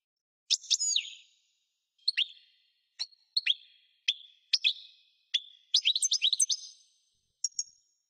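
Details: Goldfinch of the parva subspecies singing in a loose series of crisp, high chips and short twangy notes spaced about half a second apart. The notes build into a quick tinkling cluster before one last high note, with the background quiet.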